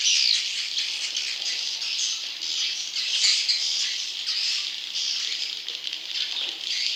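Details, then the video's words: Young swiftlets calling, a recording played to lure wild swiftlet young: steady, crowded high-pitched chirping and squeaking from many birds at once, with a few sharper squeaks near the start and middle. "Suara Walet Anakan Super"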